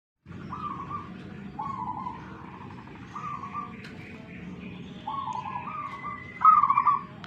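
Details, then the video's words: Wild local zebra doves from Tuban, East Java, Indonesia, dueling in song: five mid-pitched cooing phrases with quavering trilled ends, spaced about every 1.5 seconds. The last phrase is louder and more rapidly stuttered, and a faint higher phrase sounds behind it. "PERKUTUT LOKAL ALAMM TUBAN JAWA TIMUR.LAGI TARUNG"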